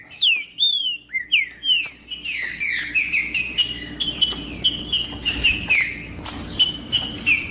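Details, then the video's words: Green-winged saltator song used to stir up and excite rival males: loud downslurred whistles open, then rapid repeated whistled notes mixed with sharp clicking chips, phrases falling every half second or so. "Trinca ferro Macheando com Trinca ferro cantando Para Esquentar Trinca ferro"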